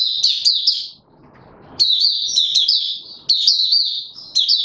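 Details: Male mata puteh, a white-eye, in open song on 31 December 2021 while being brought into form: high sweet chattering warble in long runs of rapid sliding notes, one gap filled by soft rustling.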